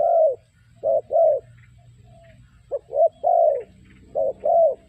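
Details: Spotted dove calling, a sound used as a lure for trapping: low hollow coos around the same pitch, grouped in short phrases of two or three notes with pauses between, a faint rising higher note in the background.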